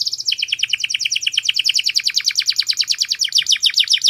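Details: Canary used for song tutoring, singing a very clear voice: a fast, steady trill of high descending notes, about eight per second, running almost without pause through the whole stretch, with a faint low hum underneath.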